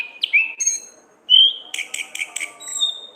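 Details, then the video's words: Orange-headed thrush, ngeplong gacor ngriwik song for masteran training: short slurred whistles, a loud steady whistle, then scratchy stuttered high notes and a thin sustained whistle over a faint hum. "burung Anis kembang ngeplong gacor ngriwik"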